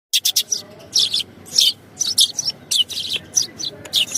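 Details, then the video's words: Sparrows singing, chirping and twittering in quick, high bursts of several short notes a second with brief pauses, possibly more than one bird. "Sparrow's Singing"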